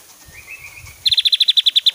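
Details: Javan grey-throated white-eye giving a loud rapid burst in its varied song. A quiet drawn-out whistle is followed by a crisp string of about twelve identical sharp notes repeated evenly, roughly ten a second.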